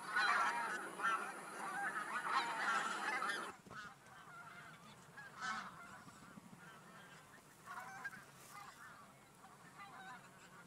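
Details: Geese travelling from the fields to the lake to rest by day. Loud overlapping honks fill the first three seconds, then cut off to a quieter background with scattered distant honks.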